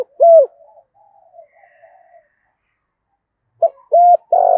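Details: Spotted dove kept as a caged decoy, thổ-style singing. One rounded coo opens, faint murmuring follows, then after a pause a short note, a level coo and the start of a rolling coo.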